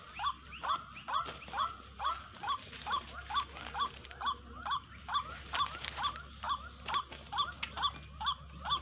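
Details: White-breasted waterhen lure call for trapping birds. Very regular hooked, croaky 'wak' notes repeat about twice every second for several seconds, over a steady low hum, a high whine and a few clicks.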